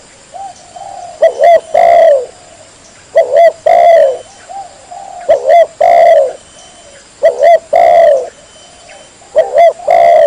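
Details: Female spotted dove calling males to mate, used as a lure: steady series of deep, hollow coo phrases, two quick clipped notes then a sustained falling coo, repeating about every two seconds in a clear recording.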